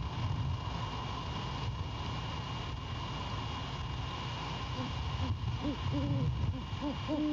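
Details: Great horned owl pair at the nest near Savannah, 17 January 2022, 23:10, at night, conversing as the male returns to his mate; after five seconds of steady hum, a series of short arched hoots follows in quick succession.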